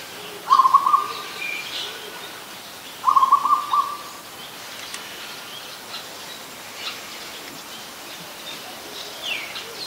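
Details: Two brisk, stuttering coo series from an adult zebra dove, about two and a half seconds apart, then quiet with faint distant chirps, recorded in Ubon Ratchathani, Thailand, 24 December 2020.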